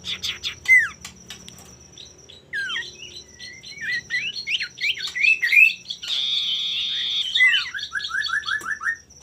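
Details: Male common iora song, used as a lure to provoke rival birds into singing: chattering chirps and bright rising whistles, a harsh noisy burst midway, then a run of short quick descending notes, over a steady thin high whine.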